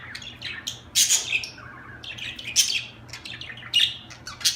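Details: Budgerigar chirping: loud harsh squawks mixed with thin whistled chirps and a short warbled run, bursts coming about every second, low steady hum in the background.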